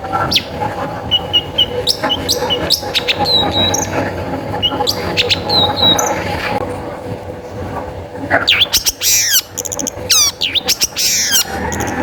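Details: Long-tailed shrike song used as a lure to prompt other shrikes to sing: sharp chirps and rapid rising and falling sweeps, with a burst of steep frequency-sweeping notes near the end over steady background hum.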